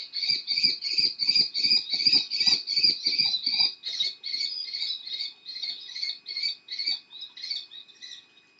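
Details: Young common kestrels, able to fly but still fed by their parents, pursue their father with food cries in Théding, France, July 2023; rhythmic, grating whined notes come about three per second, softening over the last seconds.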